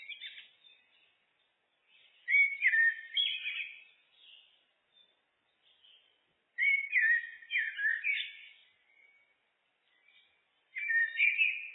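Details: Common blackbird singing in a looped recording: three separate fluting, warbled phrases of mellow whistles, each about two seconds long with pauses between, in a quiet background.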